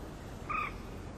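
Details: Great crested grebe at its nest, one of a nesting pair, filmed with a Canon HF-G30 camcorder: a single short, steady nasal note lasting about a third of a second, heard over a soft, constant background hiss.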